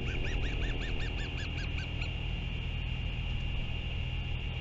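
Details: Sky call of a royal albatross at a New Zealand nest, the mother feeding her chick, 24 February 2023, afternoon; about ten quick arched, nasal notes in a two-second burst, then only wind.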